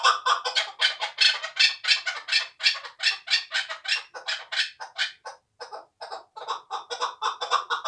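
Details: A hand-reared two-year-old hunting chukar partridge from Tojikobod district, Tajikistan, gives a long volley of harsh, rapid chucking notes, briefly pausing midway before resuming in a choppier rhythm.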